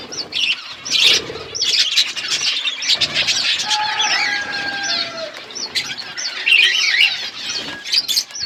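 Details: Parrots chirping while eating food on February 25, 2024; busy, overlapping twittering and warbled chirps fill the recording, with a few drawn-out whistled notes near the middle and soft fluttering throughout.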